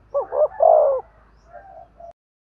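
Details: Single spotted dove phrase for training decoy birds: two quick rising notes and a loud falling coo, trailing into faint soft coos before a low background hum ends.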